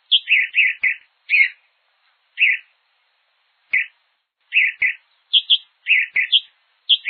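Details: Brazilian hepatic tanager song of hoarse, slurred syllables, mostly lower burry notes with occasional higher clear ones, delivered in irregular bursts with gaps of up to a second; soft clicking noises in a quiet setting.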